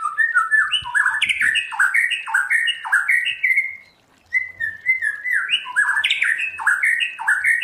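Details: Continuous white-rumped shama song in the forest-voice style: run after run of quick stepped whistles rising and falling in a lilting chain. A brief pause comes midway, then the rapid whistled sequence resumes.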